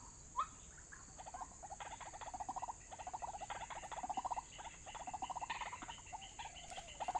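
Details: White-breasted waterhen recording used to lure birds into a trap: one rising note, then a long rapid bubbling chatter of low pulsed notes in bursts, with a faint steady high hiss throughout.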